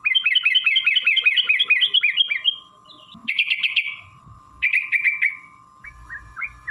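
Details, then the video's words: Sooty-headed bulbul in fast, long-running (ropel panjang) song meant to stir other birds: a quick chattering run of high chirps, then shorter bursts of rapid notes separated by pauses, over a constant hum. "trucukan gacor TARUNG ROPEL PANJANG pancingan trucukan agar bunyi"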